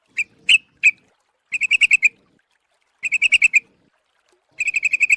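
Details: Lure call of a yellow-vented bulbul, a few single sharp notes followed by three rapid bursts of evenly spaced ringing chatter notes with clean pauses between.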